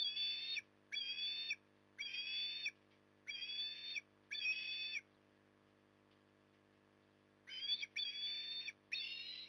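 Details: Osprey at Port Lincoln, Australia, on an October 2020 evening during feeding; bursts of shrill, whistled chirps with rising notes, five in quick succession, a pause, then three more, over a steady low hum.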